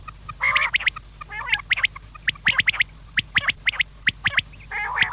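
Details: Quail heard in the evening giving quick, dry clicking and chattering notes in loose series, broken by a few nasal, squawky bursts, with a low constant hum behind.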